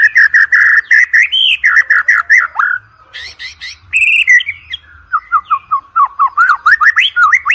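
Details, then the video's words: Vigorous white-rumped shama song, used as a lure recording for training competition birds: a fast stream of loud repeated whistles, then buzzy chatter, then a rapid staccato series of short notes, several per second. "OCEHAN MURAI BATU PALING EDAN, COCOK UNTUK PANCINGAN MURAI BATU UNTUK LOMBA"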